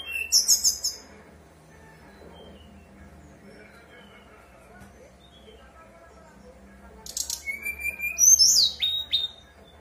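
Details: Whistled phrases from a brown-chested jungle flycatcher, recorded to make other caged birds of the species reply. A high fluting phrase opens, several quiet seconds follow, then a livelier run of whistles and sharp upslurred notes.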